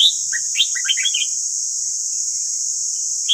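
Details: Red-whiskered bulbul training song: a sharp opening whistle followed by a quick jumble of bright, rising and falling notes, with steady hiss in the background.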